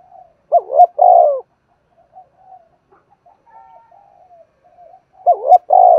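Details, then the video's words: Coos of a spotted dove in the 'thổ' voice style, meant to stimulate other doves to coo: two full phrases, each a quick wavering double note and a long low coo, with quiet soft notes and murmurs in the gap. "cu gáy kích bổi nhanh nổi gù, tiếng chim cu gáy thúc"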